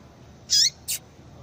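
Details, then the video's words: ['Two quick, high, sharp chips from a female Yellow-bellied Seedeater calling to bring a male into breeding condition; the first longer and slightly downslurred, the second shorter.'] "fêmea de coleiro baiano chamando Muito Para Esquentar coleiro baiano"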